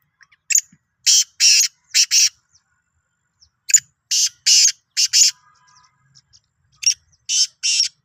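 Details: Sindhi black francolin, recorded 16 March 2023, calls three times: each phrase is a short click followed by three or four coarse, rasping notes. The phrases come roughly every three seconds, with quiet ticks between.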